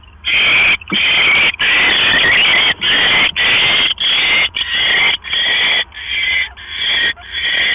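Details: At a barn owl nest around 1:09 AM on 12 October 2015, a male delivers another mouse: loud, harsh, breathy screeches follow one another almost without pause, about ninety a minute, each rasping and noisy.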